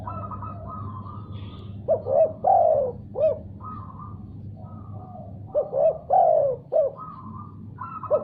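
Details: Spotted dove calling in reply after hearing another sound: three coo phrases, each of short rising notes and a long, falling, husky coo, spaced a few seconds apart over a steady low hum and faint tonal background lines.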